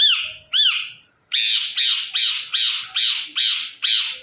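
A rose-ringed parakeet gives two quick harsh squawks, then a steady run of seven loud, rasping screeches about twice a second.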